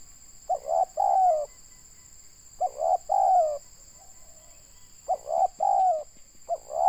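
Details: Local Indonesian spotted dove used as a trapping decoy, noted for a loud voice. Gives paired coo phrases: a short stuttered note, then a longer drawn-out coo that falls slightly. The groups come every two seconds over a constant thin electronic hum.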